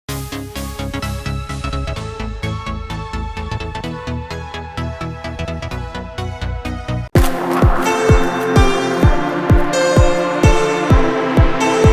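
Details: Electronic dance music with a steady four-on-the-floor beat at about 128 per minute; no animal voices are heard.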